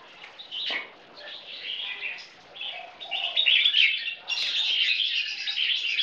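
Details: Two red-whiskered bulbul crossbreeds face off in a singing competition, one aged 10 months, with bright, chattering and liquid warbled phrases overlapping almost continuously, several birds calling at once.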